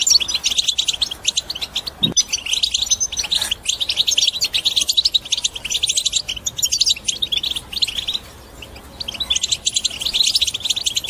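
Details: Energetic European goldfinch batbata, a twittering song aimed at getting other birds to sing: long stretches of rapid high chatter, a dull knock near the start, and a short lull before the twittering resumes.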